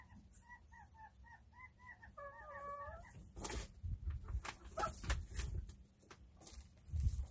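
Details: Chickens going about their day: a quick series of short peeps for two seconds, then a brief wavering trilled note, followed by thumps and rustling noise.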